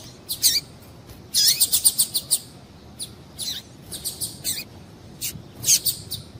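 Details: High chirping from a female double-collared seedeater calling to excite a male: short bursts of rapid sharp notes, a dense cluster early on, then spaced single chips and falling slurs over a soft hiss.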